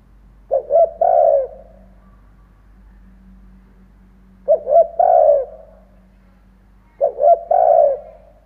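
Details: Decoy spotted dove cooing to lure wild doves: three evenly spaced phrases, each two brief low notes then a longer hollow coo, roughly every three seconds, with a faint steady hum beneath.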